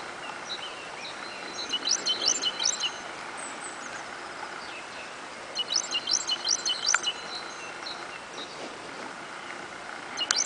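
A great tit sings two bursts of quick, repeated high two-note phrases, about a second each, over a steady background hum of distant traffic.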